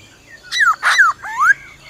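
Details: Black-throated laughingthrush forest song with the female's trilling: three brief notes, two clear downslurred whistles around a harsh buzzy burst, then a rising whistle.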